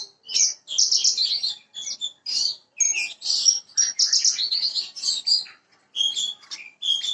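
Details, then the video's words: Bushlark of the parva form, a lure recording for getting a young untrained bird to sing quickly: high, varied chirping phrases with rapid twittering notes and short pauses between bursts, no other clear sounds. "PANCINGAN BURUNG BRANJANGAN PARVA BAHAN AGAR CEPAT BUNYI"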